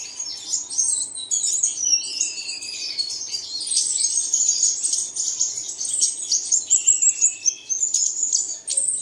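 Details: Lure recording for caged birds at dawn. Busy high twittering chorus with overlapping trills and short descending whistled phrases that run without pause through the whole stretch.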